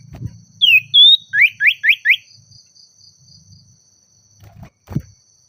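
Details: Common iora singing loudly to call a rival: a falling whistle and a level one, then four sharp upward-sweeping notes in fast series. A steady insect whine sits underneath, with thumps near the end.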